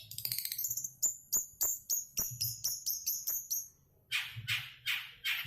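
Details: Long-tailed shrike singing: a rapid series of high, sharp chirped notes stepping slightly downward, then after a brief pause several harsh, buzzy rasping bursts.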